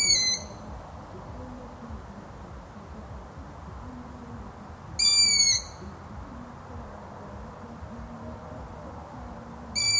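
Long-eared owl giving a high, squeaky, slightly rasping call about every five seconds, each note half a second long, over a faint low rumble.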